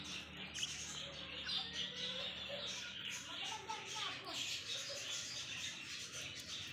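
Young budgerigars chatter in a dense stream of high, scratchy chirps and squeaks.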